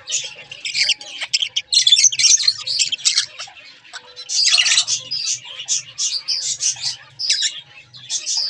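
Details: Two pet budgerigars twitter and warble in uneven bursts, grating chirps mixed with thin squeaks, over a faint low hum.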